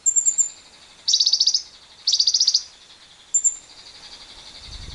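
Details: Lovebird trilling used to stimulate other lovebirds into long trills, with wild birds present: short bursts of rapid harsh pulsed chatter repeated about once a second, with thin high whistles between them.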